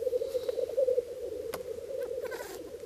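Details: Spring lek of black grouse males in the bog of Slitere National Park, cocks guarding territories; dense low bubbling chorus with a few faint clicks and short higher notes.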